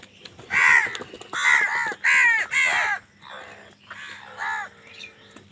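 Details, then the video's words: Four strong, hoarse caws in quick succession from crows fighting for food, followed by softer, fainter calls. "কাকের ডাক Crow Sound Crow ki Awaz Loudly | Crow bird Fight for Food"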